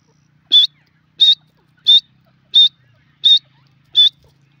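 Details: Grey francolin calling: six loud, short, high whistled notes, each with a slight upward inflection, evenly spaced about every 0.7 seconds against a near-silent background with faint low hum.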